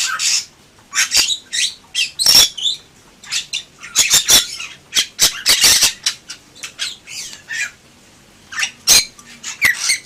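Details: Bali myna (jalak bali) in lively 'gacor' song: harsh squawks, sharp clicks and broadband rasping bursts, grouped in uneven phrases with short pauses between them.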